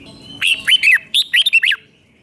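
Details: Red-whiskered bulbul from Thailand singing a five-syllable 'double' style song meant for young birds to copy: one quick phrase of about seven clear, whistled notes that slur up and down, then quiet.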